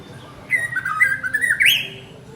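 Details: Male white-rumped shama calling his partner: a flowing whistled phrase that wavers and then sweeps sharply upward at the end, over a low steady hum.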